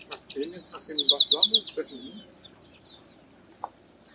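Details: Chestnut-capped blackbird in the Bahia sertão, northeastern Brazil, delivering a rapid, regular trill of bright high notes that fades out. Low murmuring sounds run beneath the trill.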